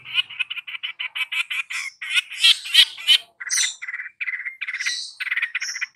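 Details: Long-tailed shrike in full song, tutoring two young pupils: a rapid string of short, buzzy, evenly repeated notes that shifts into varied squeaky and whistled phrases.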